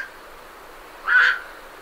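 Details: Night heron leaving its roost, recorded at medium close range: one short, harsh croak of about a third of a second stands out against a quiet background hiss.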